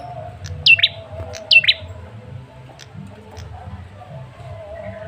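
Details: Male red-headed tailorbird lure call, meant to provoke a quick answer from other birds: two sharp, high chirps, each dropping steeply, sounding close together near the start, then faint scattered ticks over a quiet hum.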